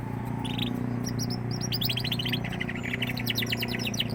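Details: Young canary warming into song: a buzzy note, then a lively stream of quick chirps and trilled notes, steadily repeated, over a loud constant low hum.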